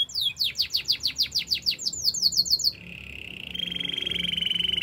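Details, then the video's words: Canary pours out quick downward-sweeping whistles, about five per second, then settles into a long even buzzy roll that pulses faster near the end; light background hiss. "Your canary will sing everyday fullspeed"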